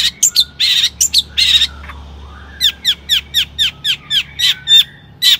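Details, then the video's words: Energetic Long-tailed shrike song used to provoke other shrikes to sing: opening harsh squawky bursts, then a steady run of about a dozen sharp, high, downward-swept notes in quick succession. "Kicau cendet gacor AMPUH EMOSI TINGGI, pancingan CENDET AGAR BUNYI"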